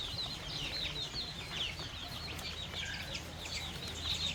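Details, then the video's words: Young chickens and baby chicks feeding on fresh termites on a countryside farm; constant shrill peeping from numerous chicks, each note brief and falling, over a low background drone. "Baby Chicks & Young Chickens Enjoy Fresh Termites | Relaxing Farm Life | Natural Sounds"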